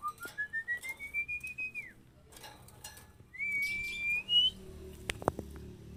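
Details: Female Oriental magpie-robin, played for training: a fast series of rising whistled notes that merges into a long arching whistle, then a second rising whistle, and a few clicks at the end.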